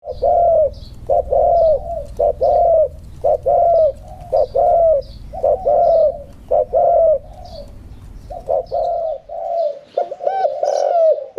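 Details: Caged spotted dove, kept one year four months, singing in the 'khan yon 1 kuk' style with a medium-pitched voice: mellow hooting coos repeated roughly every second in a steady series, with faint high chirps from other birds behind.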